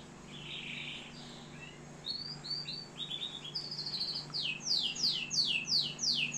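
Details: Canary singing in Algeria: a faint buzzy phrase opens, then rapid high trills and short chirps that end in a fast run of steep descending sweeps, about three per second, over a steady low electrical hum.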